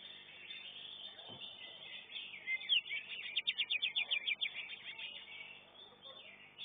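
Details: Greater green leafbird singing in a contest class at a bird-singing competition arena. A fast burst of about ten sharp, high repeated notes rises out of a constant background chorus of other birds.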